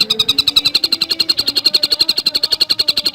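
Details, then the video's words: Rapid, very regular series of sharp high notes from a Javan cuckooshrike, delivered at nearly four per second without a break, in a tightly packed fast song style. "Masteran Burung Tengkek Buto Gacor Speed Rapat"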